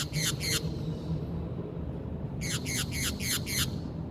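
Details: Brazilian green parakeet: two grating screeches, a short pause, then a quick run of five harsh descending squawks, with a constant low hum underneath.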